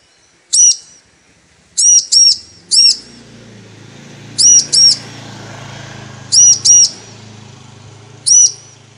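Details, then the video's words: Female bar-winged prinia calls to the male, a lure for male singing: single and paired piercing high chirps spaced irregularly over a low steady hum. "Ciblek Betina Memanggil Jantan"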